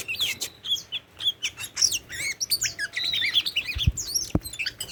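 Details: Tame Oriental magpie-robin pouring out a dense, fast medley of whistles, chirps and buzzy notes, with a couple of low thuds near the end.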